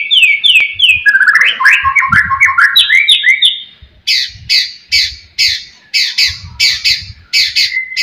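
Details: Murai batu, the white-rumped shama, singing to rile rival birds: rapid stepped whistled phrases falling in pitch, then a string of loud sharp repeated chip notes about twice a second.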